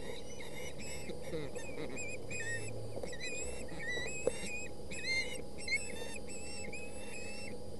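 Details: Young ospreys on a Boulder County nest on 20 August fighting over a delivered fish; insistent whistled chirps, each rising then falling, in dense repeated bursts above a continuous low drone.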